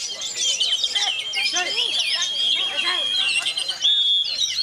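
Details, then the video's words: Oriental magpie-robin singing through strong wind, a dense flurry of sharp chirps, rising and falling whistles and scratchy trills, accompanied by a constant high background tone. "ANTI BADAI‼️Kacer KEJORA Tak Peduli Walau Diterjang Angin"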